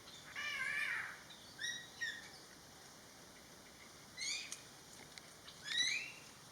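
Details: Greater Racket-tailed Drongo, a regular visitor to a garden pond in western Thailand, gives loud, varied metallic calls and chattering notes in four or five bursts, over a steady high insect-like hum.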